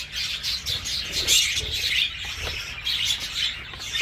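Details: Captive breeding budgerigars, Dutch type, as chicks leave the nest and hens start laying again; a dense overlapping chatter of high warbles and chirps from many birds, with quick squeaky notes layered continuously.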